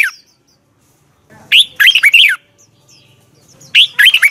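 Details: Red-whiskered bulbul, caged, singing a morning training song praised as a double twisted voice: short loud phrases of rich warbled whistles rising and falling, repeated after pauses of about two seconds.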